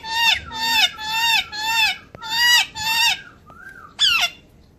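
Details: Rich, nasal, harmonic calls from a talking parrot, repeated five times at roughly half-second intervals, then a short rising whistle and one sharp squawk before quiet.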